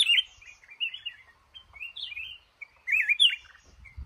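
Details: Trapped male red-whiskered bulbul from a cashew orchard gives sweet, liquid, up-and-down whistled phrases, with a brief pause before a final loud bubbling burst and a soft knock at the end.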